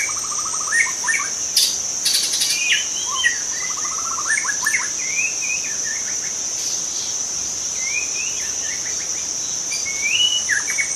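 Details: A wild young white-rumped shama sings long, varied sequences of rapid trills, clear slurred whistles and chipping notes across the whole stretch, against a constant high-pitched insect drone.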